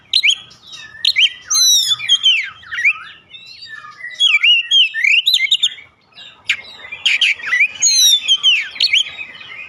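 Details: White-rumped shama song used as a lure to set other birds singing: loud, varied whistled phrases with rapid slurred trills and sharp notes in bursts, short pauses between, a steady faint hum beneath.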